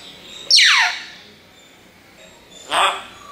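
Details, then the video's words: A parrot that mimics human speech gives one loud, harsh screech sweeping sharply downward, followed two seconds later by a shorter, buzzy syllable. "can you find out what is this Parrot saying?"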